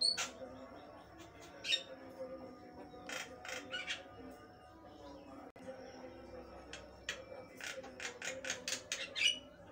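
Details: Energetic Javan myna delivers repeated short harsh rasping notes in quick runs and sparse thin whistles, growing busier toward the end, with a faint steady tonal hum beneath.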